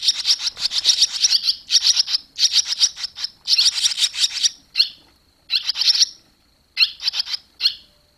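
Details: Fledging barn swallows in July 2023; dense runs of fast, buzzy high chirps in bursts of one to two seconds, broken by short gaps and a few lone notes, over a faint continuous whine.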